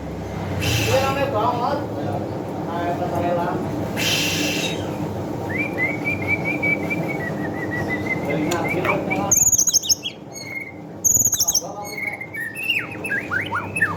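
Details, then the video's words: Medan white-rumped shama in bowing display style. Human voices and room noise fill the opening seconds, then a long wavering whistle rises. Later come bursts of sharp, high, varied notes and slurred whistles, a lure song for training birds. "Murai R9 gacor gaya maen sujud2 cocok buat pancingan burung bahan"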